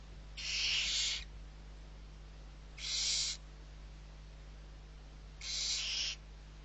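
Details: Fed barn owl young, six owlets at Riet Vell reserve in Spain's Ebro Delta, November 2023. Three long, noisy snoring hisses, each under a second, spaced about two to three seconds apart against a background hum.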